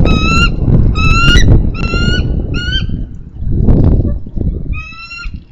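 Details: Bald eagle female on a nest in Minnesota, 3 May 2013, impatiently summoning her mate for a nest exchange: loud high piping notes repeated in short runs, five groups across the clip, with steady low wind rumble beneath.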